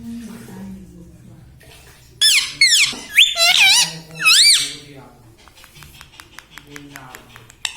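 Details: Indoor pet Indian ringneck parakeet giving a loud run of squeaky, swooping calls that rise and fall several times over about two seconds, followed by softer rapid ticking and scratchy sounds over a low room hum.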